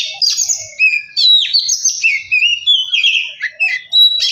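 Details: Oriental magpie-robin song played to provoke a bird into singing: a continuous, fast stream of clear whistles, slurred rising and falling notes and brief chatters, loud and high throughout.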